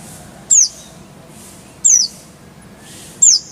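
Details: Three separate thin, descending high whistles spaced more than a second apart from a Van Hasselt's sunbird in a clear-voiced tutor song, with nothing else but low background hiss.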